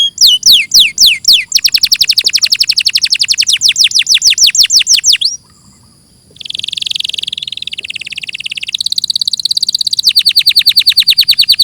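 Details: Canary song, clearly recorded as a tutor: a few slow falling whistles accelerate into a long rapid trill. After a short pause comes a buzzy roll, then more fast trilling.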